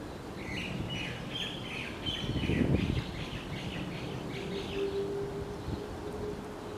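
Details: Common waxbill preening in a tree in Hawaii, giving soft, high, nasal chips in a quick, uneven chatter over a steady low background rumble with a brief humming tone.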